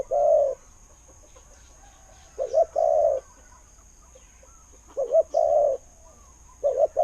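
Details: Spotted dove kept as a decoy bird in Thailand repeating its call three times: a quick wavering double note, then a long smooth low coo, with quiet between phrases.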